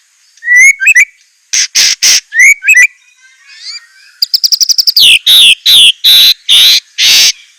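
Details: White-rumped shama singing a varied 'isian' song: curled whistles and harsh rasps, then a fast trill of about ten clipped notes, followed by a series of loud sweeping downslurred calls.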